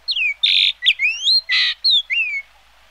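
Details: Yellow-billed grosbeak (Eophona migratoria) in a rapid series of downslurred and upslurred whistles alternating with two loud, harsh, buzzy bursts, about seven notes in under three seconds.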